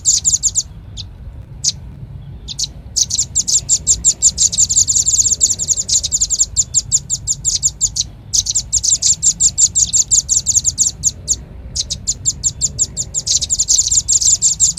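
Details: Lure call of the velvet-fronted nuthatch for attracting birds: long runs of rapid, very high, metallic chit notes, several per second, broken by brief gaps, with soft low background noise.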